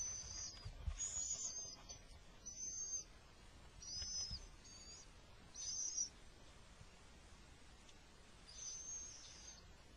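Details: Little owl, male bringing food while under attack in spring; a series of sharp, high hissing screeches about twenty per minute at uneven intervals, with faint rumbling in the background.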